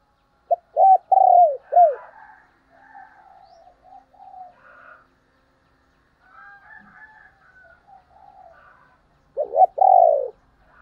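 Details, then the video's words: Spotted dove kept as a decoy to attract other doves: a loud cooing phrase with falling end notes, then several seconds of faint far-off cooing, and another loud phrase at the end. "cu gáy / chim cu gáy kích bổi mới"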